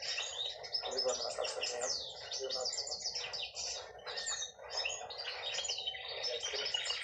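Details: A singing hen canary pours out a busy mix of quick chirps, downslurred whistles and short trills, varied and lively over seven seconds.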